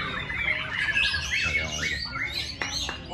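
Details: White-rumped shama in a singing competition, its isian filler song emerging within the first minute: rapid whistled trills and slurred high notes, a few sharp clicks near the end, over constant background noise.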